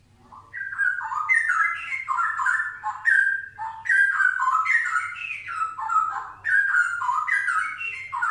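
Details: Straw-headed bulbul singing a loud, continuous, bubbling warble of rich whistled notes that jump up and down in quick, tumbling phrases, with a faint low hum beneath.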